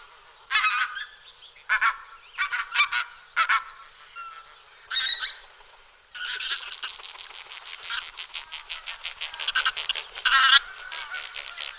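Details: Pink-footed geese honking: a few loud, separate nasal calls, then a steady rapid stream of overlapping high yelps from a flock, with one louder burst near the end.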